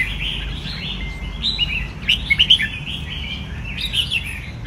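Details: Red-whiskered bulbul in a cage singing bright whistled notes, a cluster of loud slurred phrases near the middle, softer warbles around them, low hum behind.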